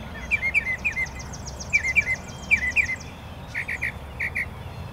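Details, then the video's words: Several mockingbirds in a hard fight give bouncing, slurred chirps in short clusters of two or three. These are followed by a tighter burst of sharper, evenly spaced notes, over steady low background noise. "Mockingbirds Fighting"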